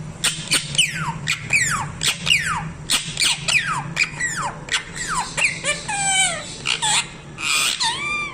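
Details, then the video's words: Parrot giving a fast series of loud squeaky calls, many sharply falling whistled notes and harsh squawks, a few rising or wavering, roughly one or two per second, over a low steady hum. "TELKING PARROT"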